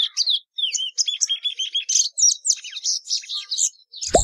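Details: Plumbeous seedeater singing a rapid, varied sequence of whistled slurs and scratchy notes, ending with a brief low thump.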